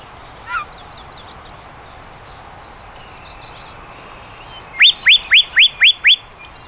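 Yellow-breasted Chat gives a quick run of six loud, sharply upslurred notes, about four per second, after soft scattered chatter and faint background birdsong.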